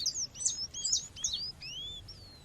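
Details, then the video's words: Female seedeater giving calls meant to stir up males, nature ambience behind: a cluster of crisp high chirps in the first second, then a few longer clean upslurred whistles trailing off. "fêmea chamando com som de natureza esquente já seu coleiro ou papa capim"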